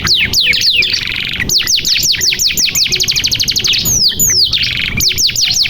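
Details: Canary pouring out song to prompt silent or young canaries to sing: quick descending whistles, a buzzy rattle, then an even trill of steeply falling notes, closing with louder swooping whistles.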